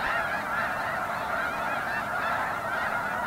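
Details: A dense chorus of snow geese: steady, unbroken clamor of many honking birds, high nasal barks layered thickly over one another throughout.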